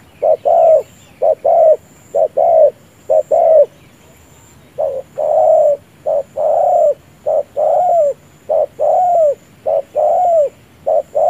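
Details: Decoy spotted dove used for quick ground-decoy trapping, cooing with its chest lowered: eleven seconds of paired coos, a short note then a longer slurred one, with a brief pause midway and a faint steady high whine.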